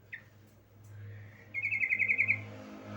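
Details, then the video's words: A female yellow-vented bulbul summons a male: one sharp chirp, then a steady, fast, even trill of pulsed notes lasting nearly a second, over a low hum. "BURUNG TRUCUKAN BETINA MEMANGGIL JANTAN"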